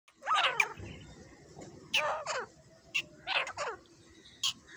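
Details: A pair of grey francolins calling: harsh, grating, broadband notes in short bursts roughly every second, some doubled, with quieter clipped notes in between.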